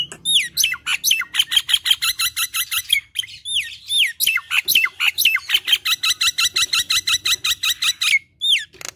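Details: Nias hill myna in lively chattering 'gacor kemrewek' song: rapid runs of loud, harsh, clipped notes at about three per second, broken by a few rising whistles and brief pauses.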